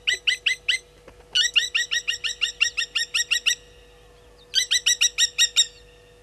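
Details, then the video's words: Blacksmith lapwings upset by a slender mongoose at Gowrie dam waterhole, Djuma Game Reserve, Sabi Sand, South Africa, late July morning: sharp metallic clinking notes in fast bursts, a short pause between bursts, over a faint steady hum. "Slender Mongoose upsetting Blacksmith Lapwings"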